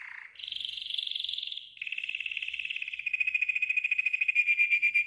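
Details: Training song from a yellow golden canary, sung for birds to learn: a short rising note, a rolling mid-high trill, then a lower pulsed trill that grows louder and more distinct.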